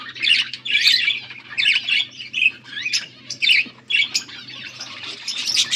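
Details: Budgerigars recorded August 14, 2024, calling in bursts of scratchy, squawky chirps roughly every half second to second, separated by short gaps, over a steady low hum.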